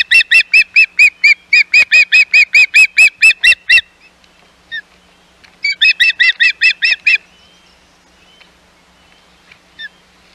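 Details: Hog Island nest osprey on 11 May 2021 with intruders about: a long run of piercing, evenly spaced whistled chips lasting nearly four seconds, a short gap, then a second shorter burst and scattered faint notes.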